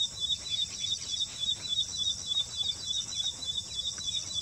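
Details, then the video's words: Ashy prinia singing in Assam, a song that differs from southern birds: a quick, high chirping note repeated about three times a second over a steady shrill buzz of insects. "Ashy Prinia singing"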